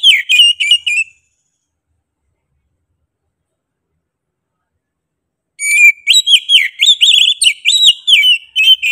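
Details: Oriental magpie-robin (kacer) in energetic 'gacor' song: a short burst of sharp whistled notes, a long silence, then a rapid run of varied whistles and clicks, several notes per second, with clean background.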